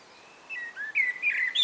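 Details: Common blackbird, one of a pair exchanging calls on a spring afternoon: a quick run of short fluty whistled notes, some rising, others sliding down, ending in a brighter high note over a quiet background.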